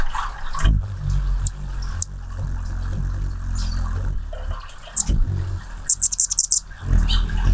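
A hummingbird gives brief, very high chips, then a quick run of sharp squeaks near the end, over a steady low rumble that may be wing hum.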